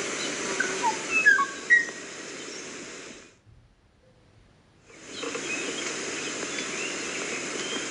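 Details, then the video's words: Kauai ʻōʻō song: a few short clear whistled notes and slurred phrases, some rising and some falling, in the first two seconds, then a silent gap, over steady broadband hiss throughout. "kauai Õ'õ bird song"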